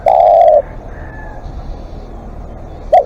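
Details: Live decoy spotted dove giving long calls: a single drawn-out even coo, then near-silence with faint hum before a brief coo starts at the very end.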